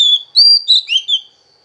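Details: Female Oriental magpie-robin, voice meant to stimulate males: a brief run of sweet clear whistles, rising and falling and linked together, over in just over a second.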